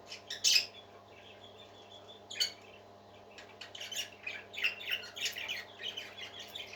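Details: Pet parakeets: a sharp loud squawk early, another near two and a half seconds, then a rising spell of rapid chattering warbles toward the end, over a quiet hum.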